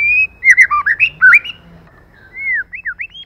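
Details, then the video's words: Female white-rumped shama used as a lure: a quick run of slurred, rising and falling whistled notes, then a pause and a few cleaner upslurred whistles toward the end, with faint low hum beneath. "CHOÈ LỬA MÁI.choè lửa trống + mái kích lửa.choe lua mai.pancingan murai batu.lửa mái mồi."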